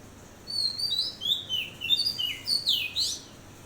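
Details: At dawn, an Oriental magpie-robin sings a quick string of clear, varied whistles, sliding up and down in short phrases for about three seconds, with faint background hiss.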